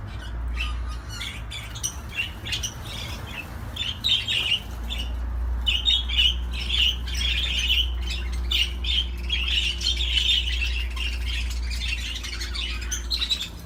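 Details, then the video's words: Budgerigar warbling in a fast, chattering stream of squeaky, scratchy notes, with bursts growing denser and louder toward the end, over a steady low electrical hum. "تغريد طيور الحب االبادجي"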